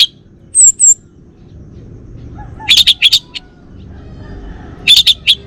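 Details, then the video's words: In Singaraja, North Bali, a kept male Bali orange-headed thrush gives two thin high whistles, then clusters of sharp chirping notes about every two seconds, with quiet between. "Kicau Burung ANIS MERAH Bali Jantan"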